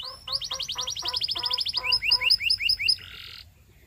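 A Belgian canary sings a fast run of bright, rising chirps, about a dozen notes, that ends in a brief buzzy trill.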